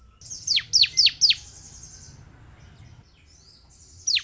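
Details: Bar-winged prinia lure recording for caged birds; four sharply descending, whistled high notes in quick succession, a pause, then one more falling note.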